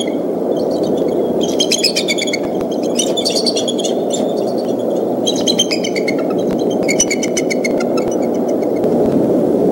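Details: Bald eagle parents at their nest in Decorah on 17 April, sounding the alarm while defending the nest against an intruding fox squirrel. Repeated bursts of high, thin chittering notes come in quick series over a steady low rumbling background.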